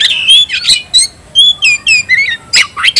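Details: Oriental magpie-robin (kacer) calling out to a fighting opponent: separate clear whistled notes, some sliding downward, alternating with scratchy buzzy phrases, roughly three to four notes per second.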